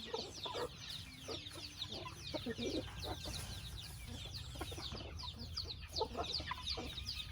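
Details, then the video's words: A chicken house where many birds peep continuously, each note a quick high downward slur, overlapping into a busy chorus over a low hum. "Chicken sound"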